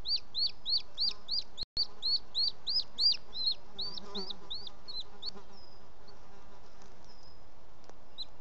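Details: Male booted eagle with an unidentified bird as prey at the nest, evening of 18 June 2017, Els Ports Natural Park: a long rapid string of about thirteen high whistles fading into scattered notes and quiet.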